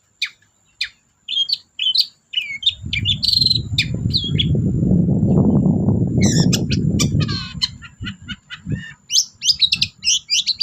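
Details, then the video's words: Long-tailed shrike singing energetically as a lure for reluctant shrikes: sharp chips and scratchy phrases, then a dense, jumbled chattering burst. A loud low rumble swells through the middle. "BURUNG CENDET GACOR DOR PANCINGAN CENDET MALES BUNYI"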